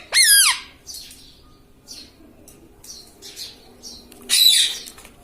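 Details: Pet ring-necked parrot (tota) indoors giving a loud sharp descending squawk, followed by softer scattered chirps and a second harsh screech near the end.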